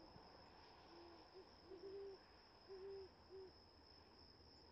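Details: Recorded on the 11th day of great horned owl fledging: soft, deep hoots in two short series of uneven beats over a steady high insect drone.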